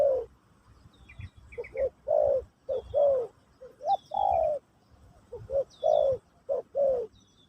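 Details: Pesom/kacuk style cooing of a spotted dove (terkukur) in a new-bird teaching session: grouped soft notes ending in longer falling hums, with brief high twittering of small birds in the background.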